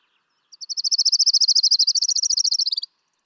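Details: Orange-crowned Warbler song: a single dry, musical trill of about two dozen rapid, evenly spaced high notes lasting over two seconds, swelling and rising slightly, then dropping off at the end; otherwise quiet.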